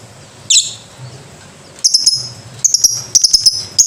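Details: Lovebird producing one rough, slurred note, then a lively string of piercing, high chips that speeds into a rapid stuttering chatter toward the end.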